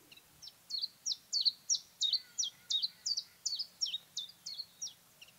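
A Common Chiffchaff sings a steady series of high, sharp two-note chips, about three per second, alternating slightly in pitch like counted coins.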